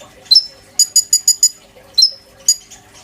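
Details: Caged oriental magpie-robin, a tutor bird for white-rumped shama sujud-style song: a slurred whistle, five spaced high metallic notes, then two more separated whistled notes against a quiet background.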